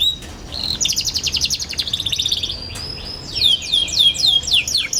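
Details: Young canary singing as a teaching recording for other young canaries: a dense buzzy trill, a long thin held whistle, then a series of clear descending swept notes.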